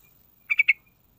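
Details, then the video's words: Yellow-vented bulbul sound played as a lure to draw other birds into singing: a single quick burst of three bright, chattering notes in rapid succession, crisp against near silence. "Sekali Putar Langsung Nyaut Dengar Suara Trucukan Isian Istimewa"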